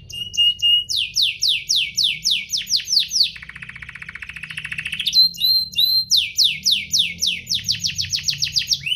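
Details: Canary song meant to prompt other canaries to sing: rapid falling sweeps, a low buzzing rattle, high whistled notes, then another fast series of sweeps in steady rhythm.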